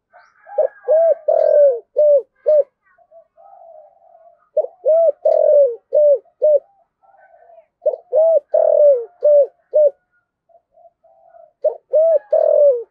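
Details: Spotted dove giving repeated cooing phrases in the kích bổi luring style, 2023: bursts of four or five hollow, rounded coos, the middle one longer and sliding down, separated by soft murmured notes, repeated about every three seconds.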